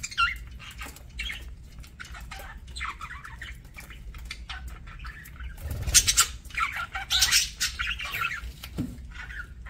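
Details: Parakeets eating a meal produce a continuous run of scratchy warbles and squeaky chirps, some notes slightly tonal and wavering, growing busier in the second half over faint low rumble.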